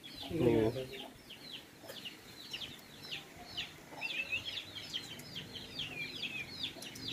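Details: Javan mynas, wild yet tame and uncaged near people, make busy, rasping chatter repeated quickly for several seconds; one loud nearby thump-like burst opens the recording.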